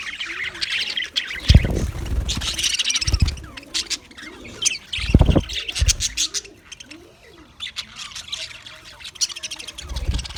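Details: February 14, 2024 recording of an English budgie (Australian), soft bubbling chatter and chirps interrupted by several loud low thumps and knocks.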